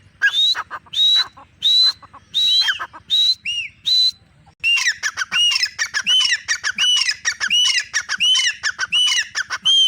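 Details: Female grey francolin: a series of spaced, high whistled notes roughly every 0.7 seconds, then a quickening burst of harsh, upswept whistled phrases crowded closely together until the end.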